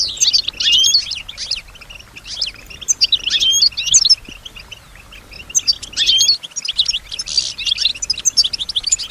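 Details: Captive female European goldfinch song, imitating nearby sounds: scattered bursts of high twittering and chirps with quieter gaps between phrases, over faint background hiss.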